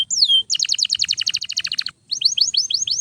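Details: Canary in full, loud song for training other canaries: a slurred whistle opens into a rapid pulsed trill lasting over a second, then a short pause and a row of rising chirps.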